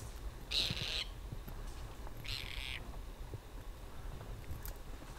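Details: Tibetan partridge in freezing mid-winter Ladakh, trans-Himalayan highlands, giving a rasping half-second call, then a second, softer and slightly longer buzzy note about a second and a half later; quiet low ambient noise otherwise.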